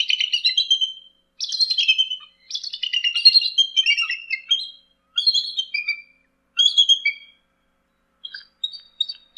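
A bald eagle gives high, thin chittering bursts, each a rapid series of squeaky piping notes falling in pitch, repeated about every second or two.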